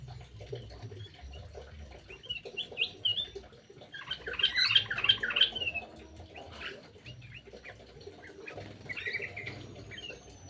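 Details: Birds in an aviary quarrelling noisily while being fed; harsh squawks and short chirps, a dense burst of loud overlapping calls in the middle, with low rumbling background noise throughout.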